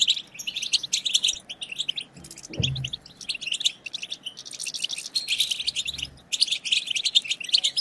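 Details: Goldfinch twittering (batbata) for stimulating caged goldfinches: rapid high chirps and jingling trills in dense runs, a soft thump near the middle, and brief breaks between lively bursts.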